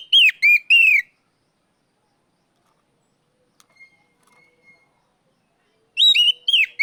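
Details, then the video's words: Oriental magpie-robin calling out a rival: a few downslurred whistles at the start, a long quiet pause, then a similar burst of slurred notes. "NGEPLONG TERIYAKAN KACER MEMANGGIL LAWAN"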